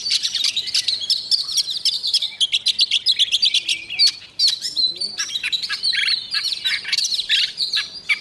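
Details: Morning song of a white-rumped shama practising its voice, a rapid stream of bright whistled notes, clicks and buzzy chips packed closely together, rising and falling without a break for most of the stretch.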